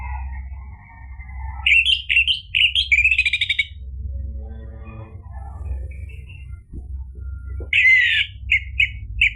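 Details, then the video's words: Orange-headed thrush song used to provoke a caged bird into singing: long whistled notes, then loud buzzy rapid phrases, a pause with faint softer notes, and a final burst of harsh repeated chips over a low hum. "ANIS MERAH GACOR memancing EMOSI jadi BUNYI NYAUT ikut NGEPLONG ampuh buat terapi macet bunyi"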